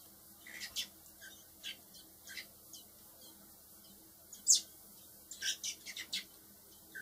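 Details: Hand-raised blackbird chicks, four nestlings to be released later, giving sparse high chirps early, then a sharp loud note and a quick cluster of rasping calls near the end.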